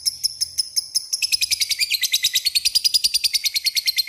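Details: Lovebird calling rivals with ngekek: a few spaced high chips, then the rhythm speeds into a fast, continuous, shrill chattering trill.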